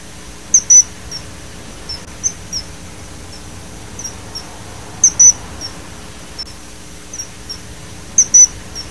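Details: Common kingfisher giving very high, thin, piercing notes, mostly in quick pairs about three seconds apart, with softer single peeps between them; faint low background hum.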